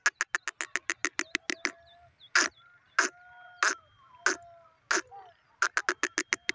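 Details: Grey francolin call that opens with a rapid run of sharp clicking notes, then slower, louder strident bursts, and ends in another quick series. Faint thin whistles from other birds are heard between the bursts.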